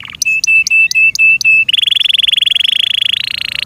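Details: Kept canary repeats short clear whistled notes about five times a second, then switches to a long, even, buzzy rattling trill.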